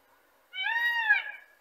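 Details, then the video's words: A male Indian peafowl gives a single loud, nasal, wailing cry about one second long, rich in harmonics and slightly rising then falling, with no other sounds. "Peacock Bird Sound"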